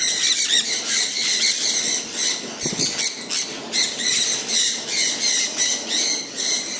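Sun conures give harsh, piercing screeches in uneven bursts, roughly two a second, over a steady hiss of falling rain.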